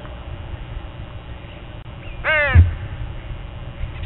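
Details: A crow at dawn, part of a gathered flock, gives a single harsh, harmonic caw that slides downward, about half a second long, over a quiet low rumble.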